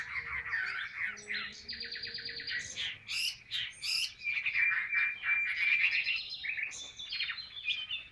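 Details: Caged Chinese hwamei, 'ngũ trường cao cầu' type, delivering a dense medley of harsh buzzy trills, chattering notes and clear whistled slides, with a noisy low background.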